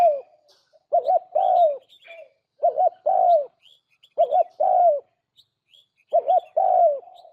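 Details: Spotted dove lure song for bird traps: four evenly spaced phrases, each two quick arched coos then a longer falling coo, about every one and a half seconds, thin high twitters of small birds behind.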